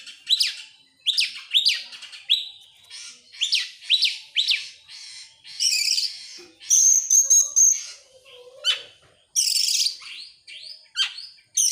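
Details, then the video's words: Excited Oriental magpie-robin opening its tail, singing a rich, varied medley of quick upswept whistles, buzzy bursts and a long thin whistled note, with brief pauses between phrases. "sekali dengar langsung EMOSI NGOBRA GACOR BUKA EKOR, burung kacer nembak,Kacer gacor"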